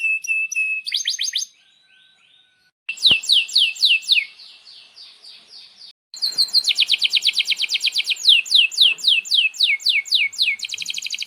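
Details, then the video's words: Canary in full song, used as a tutor for young canaries: short steady whistles and trills, a faint pause, then a burst of sweeping notes and a long bright rolling series of repeated descending whistles. "Kenari GACOR PANJANG INI Cocok untuk Masteran KENARI PAUD dan Kenari Macet BUNYI"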